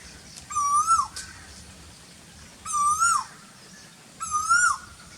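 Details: During the very hot season, the koyal gives three loud, clear whistles, one about every two seconds. Each swells upward and ends in a quick downward slide.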